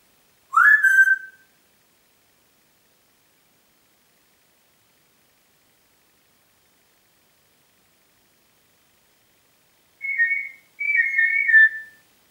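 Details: Congo grey parrot whistling in Diebach near Hammelburg, Germany, on 4 April 2012: one rising whistle, a long quiet gap, then two wavering high whistles close together.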